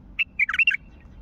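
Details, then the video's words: A wild Mandali bulbul gives a quick call, a brief note followed by a rich, bubbling run of warbled syllables lasting under a second, clear against a quiet low hum. "ندهات بلبل وحشي مندلاوي"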